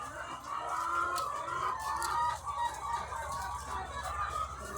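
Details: Thousands of egg-laying hens on a farm, a dense overlapping chorus of clucks and drawn-out calls forming a continuous murmur, with a steady low hum running underneath throughout.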